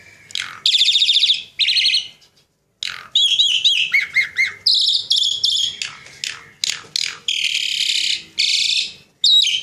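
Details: Javan pied starling kept as a pet, singing energetically: rattling buzzy bursts separated by a short pause, then quick wavering whistles, squeaky chips and harsh grating trills in varied sequence.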